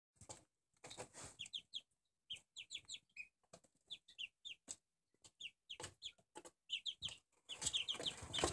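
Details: Four-week-old Barred Plymouth Rock chicks giving repeated short, high, downward-sliding peeps in quick bursts of two to four, mixed with sharp broadband taps and scratching sounds.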